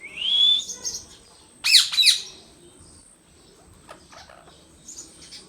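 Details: Indian ringneck parrot, a pet talking bird, gives a rising squawk, then two loud, harsh, quickly repeated screeches, followed by softer scattered chirps.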